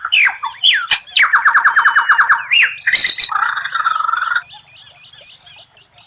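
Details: White-rumped shama, a contest-bird training song with rare 'tembakan' bursts and strange phrases: rapid run of repeated whistled notes near the middle, then a smooth warbled phrase and high thin whistles, varied and loud.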